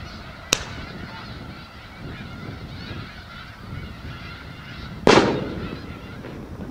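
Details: A feeding Snow Goose flock on Skagit Delta wheat, Washington State, is hit by 12-gauge cracker bird bombs: two loud explosions crack out amid a softer, constant chorus of honking geese.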